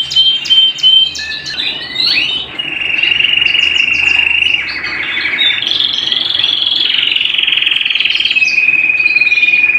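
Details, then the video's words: Canary song indoors at home: a burst of varied chirps and slurred notes gives way to sustained high rolling trills that step up in pitch midway, ending on a thin steady whistle. "canary bird - canary singing - canary sounds - canary singing at home"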